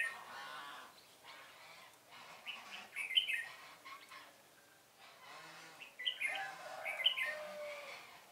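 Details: Red-whiskered bulbul acting as a lure in trapping, 1 November 2017, sings scattered bright, bubbly phrases, one near the third second and a livelier cluster near the end, against steady rustling background noise.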